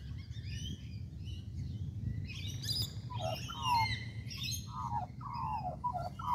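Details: Australian magpie in a tree in Kings Park, Perth, Western Australia, giving rich warbling notes that slide and break around a mid pitch, with bursts of higher chatter, over a steady low rumble of background noise.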